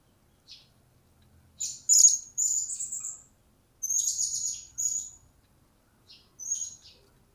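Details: Newly acquired captive blue-crowned hanging parrot beginning to call: shrill, thin, very high notes in short bursts, some sustained for half a second, in four groups separated by brief pauses over seven seconds, against a quiet background.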